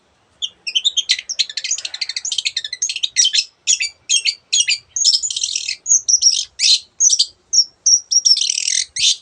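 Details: Vigorous song of a Long-tailed shrike, used as a tutor recording, packed with varied imitations of other birds: dense scratchy trills and chirp bursts, then several clear high whistles near the end.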